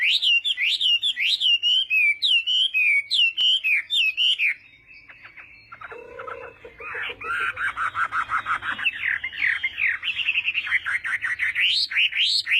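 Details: Chinese hwamei in competitive morning singing practice: rippling looped whistles at first, a short quieter gap with a faint low tone, then dense, fast, rolling whistled phrases to the end.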